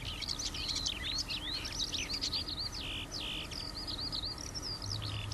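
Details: Eurasian skylark song, cheerful and continuous, with traffic noise from people nearby; loud high warbles, sweeping whistles and short buzzy trills follow in quick succession over a faint low drone.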